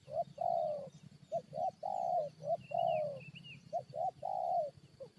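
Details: Spotted dove calling to provoke a fight with wild birds, three rhythmic phrases of two or three short soft coos ending in a long, falling croo, with a thin chirping bird and low background hum.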